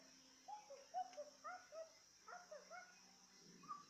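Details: Yellow-vented bulbul lured into singing: a series of short, slurred, bubbly whistled notes. Some notes rise and some fall in a mid-pitched range, coming in two loose bursts. A steady high insect-like drone runs throughout.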